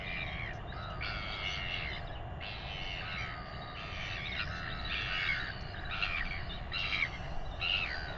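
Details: Royal albatross chick in New Zealand being fed by its father, with weighing also taking place: a rapid series of harsh, clattering squeaky calls, irregularly repeated about once a second, over steady low wind rumble.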